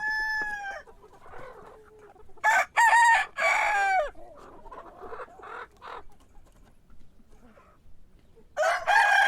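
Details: Several chickens in the morning: the end of a crow, then short loud bursts of crowing and squawking, scattered clucks, and another crow beginning near the end.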